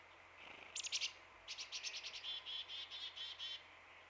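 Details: A black-capped chickadee at a backyard feeder in Manitouwadge, northern Ontario, on 9 December 2016 (winter) gives a quick cluster of high notes, then about a dozen harsh, buzzy dee notes at a steady pace.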